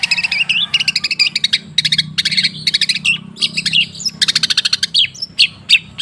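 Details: Long-tailed shrike song played as a lure to coax shrikes that have stopped singing: rapid bursts of sharp, clicking chirps and short trills in quick series, with a few brief whistled slurs and a faint low hum beneath.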